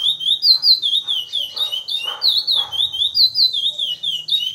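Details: Praia Grande classic song of a caged chestnut-bellied seed finch from Brazil: loud, pure whistled swoops repeating rapidly, some notes pitched higher, over faint low hum and room sounds.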